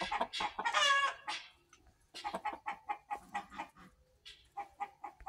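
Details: Mother hen, Black Australorp breed, recorded 14 September 2023: a loud burst of harsh clucks, a short pause, then a rhythmic string of quieter, lower clucks at an even pace.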